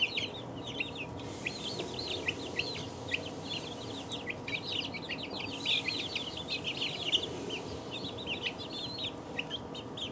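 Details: Two-week-old chickens peeping continuously as a group, many overlapping high, short downslurred cheeps packed densely across the whole stretch over a steady low hum.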